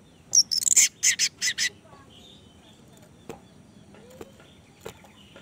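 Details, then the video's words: Orange-headed thrush lure recording, played to prompt a kept bird that has stopped singing: a rapid run of five or six loud, high buzzy notes in under two seconds, then near silence broken by a few faint clicks. "pancingan Anis merah macet bunyi"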